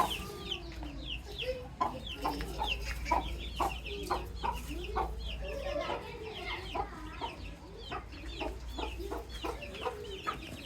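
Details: A lively stream of high, descending peeps from baby chicks, overlapping and nearly continuous, mixed with soft lower clucks and scattered tapping sounds.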